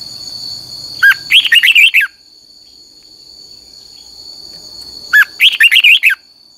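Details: Red-whiskered bulbul giving a training song in the 'căng lửa' style, played to teach other bulbuls to sing: two short bursts of quick, bubbly warbled notes about four seconds apart, over a steady high-pitched insect-like drone.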